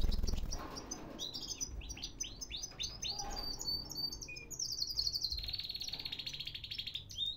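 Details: Canary song recorded in Baghdad, Iraq: repeated swooping whistled notes followed by a long, high, even rolling trill, over low background noise.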